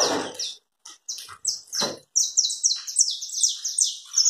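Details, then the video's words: Saffron finch (canário-da-terra) singing in the chapinha carretilha style: a few scattered chips, then a fast rolling trill of sharp, high, downslurred notes repeated several times a second. A brief low voice-like sound comes at the start. "Canário chapinha carritilha."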